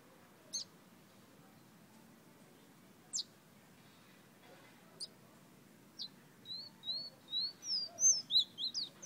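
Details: Several widely spaced sharp clicks give way to a lively burst of high whistled notes from a fire red bird of Guyana, quick and slightly wavering, building in loudness toward the end.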